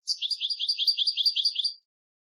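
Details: European goldfinch giving a chick-teaching song: about a dozen quick rolling chirps in a smooth, even twitter, high-pitched and clear, then silence.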